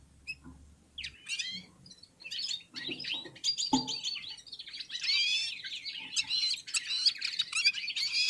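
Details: Several red-fronted serins and other birds singing together: scattered sharp chirps at first, building into a continuous high, jangling twitter of rapid trills and whistled notes.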